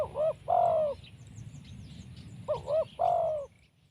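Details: Powerful call of a trapped wild spotted dove: two paired coos, each a short note then a longer drawn one, separated by a pause of about two seconds; faint rustle and distant chirps behind.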